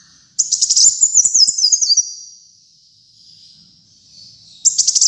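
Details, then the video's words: Kolibri muncang sunbird singing vigorously, for tutoring and luring other birds: a stuttered burst of very high notes, then a stepped, descending, thin warble that fades out. A second burst starts after a pause. "Kolibri Muncang Gacor Dor"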